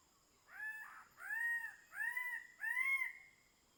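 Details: King bird-of-paradise, known locally as Gobi-gobi, at the Badi Gaki Birds Sanctuary; four loud, arched, nasal calls, each about half a second long, rising then falling, with a steady high insect whine behind.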